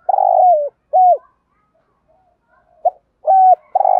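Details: Spotted dove cooing used as a decoy to excite other doves: husky low coos, each dipping at the end, in a short phrase, then a pause and a quiet soft note before the coos resume.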